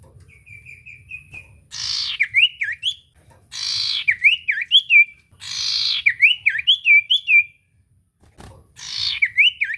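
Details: Common iora song meant to trigger a silent bird into singing, with a soft trill of short notes, then three bursts of harsh buzzy noise each followed by zigzag whistled notes.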